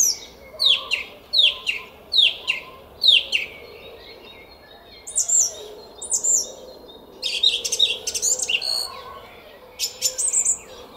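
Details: Song thrush in a garden at Szalkszentmárton, Hungary, 06:15 on 10 April 2021, spring morning: one short descending whistled phrase repeated five times about every 0.7 seconds, then varied high squeaky and chattering phrases after a pause.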